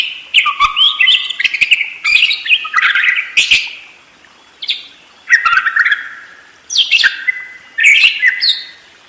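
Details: Energetic ngerol warbling from a budgerigar: almost unbroken chattering phrases of squeaks, buzzes and short whistles with only brief pauses, busier and more varied toward the end.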